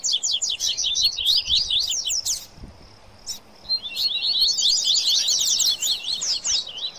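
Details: Rusty-collared seedeater singing baderna style, fired up with papa-capim: a fast burst of high chattering notes, about a second of quiet, then an even denser twittering run.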